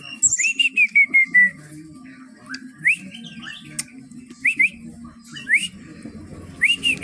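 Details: Brown-chested jungle flycatcher of Bali origin, kept caged at a bird kiosk and singing actively: a series of clear whistled notes, then short rising slurred whistles spaced by pauses, over a low continuous background hum.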